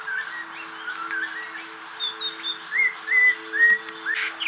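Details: In rainforest at Cat Tien National Park, a white-rumped shama, seemingly trying hard to start a proper song, sings short, clear whistled slurs and phrases that rise and fall at a lively pace, over a steady electrical-sounding hum.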